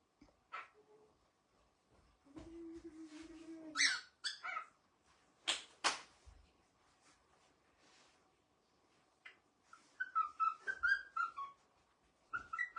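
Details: Pet cockatiel, said to be showing off a new sound, gives short chirpy whistles in bursts, with clicks and taps in a small room.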